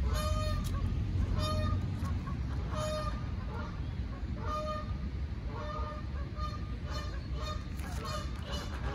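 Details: Canada goose honking repeatedly while attacking a lost gosling: short, nasal, evenly spaced honks, about four per second, over steady low wind rumble outdoors.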